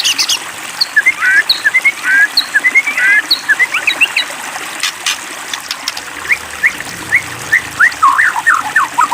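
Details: White-rumped shama, provoked to sing: short twittering whistled phrases with looping slurred notes, a few high isolated chips, pauses between bursts.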